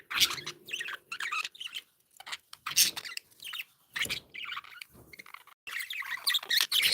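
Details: Joyful pet budgies chattering in a lively stream of scratchy chirps, clicks and warbled twitters, loud dense bursts broken by short silent gaps, busiest near the start and end.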